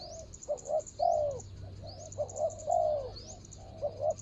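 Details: Spotted dove used as a ground decoy to lure a rival, dated 24/01/65: low mellow coos in paired short notes followed by a longer falling crooo, phrases repeating about every second and a half, thin high chirps of small birds above.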